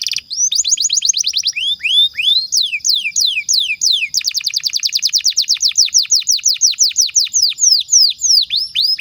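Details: Canary singing continuously to encourage other pet canaries to sing; quick rolls of swept whistled notes, a slower run of broad falling slurs, then a long rapid even trill of downward sweeps.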